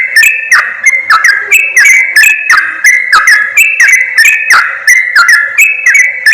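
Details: Yellow-vented bulbul chatter used to lure wild birds within reach of trappers: quick, cheerful whistled notes in short rising and falling bursts, dense and unbroken, with clicking accents.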